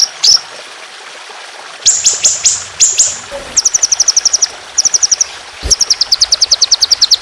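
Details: Songbird training recording of a trotolan giving aggressive, long, harsh 'shots'. Blurred high notes come first, then fast trains of crisp, evenly spaced chirps, all over a background of gently trickling water.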